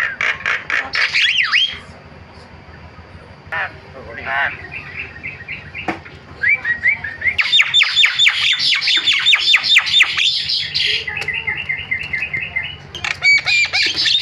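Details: Starling used as a lure recording to get other starlings calling: harsh chattering bursts mixed with clear whistled notes, then a fast run of repeated rising notes and steady whistled phrases.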